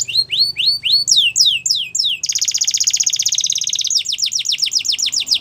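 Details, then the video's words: Canary singing rising whistles and steeper descending slurs, then a dense rapid trill and a further run of down-slurred chirps, with a faint low hum in the background. "Your Canary Is Quiet ? Will Sing Again After Listening To This"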